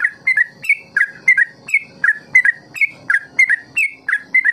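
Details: Ropel-style song of a trucukan, or Yellow-vented Bulbul, played to train birds into long ropel phrases; paired whistled notes, one rising and one falling, repeated in an even rhythm roughly twice a second.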